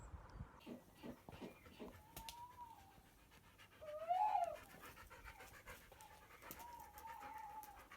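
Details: Wild female tawny owl that has been roosting hidden in a tree for two weeks and often hoots back to a captive bred tawny owl during the day, heard during lockdown: a soft, hollow hoot with a brief opening note, louder hoo, then long wavering final note, over faint rustling and knocks.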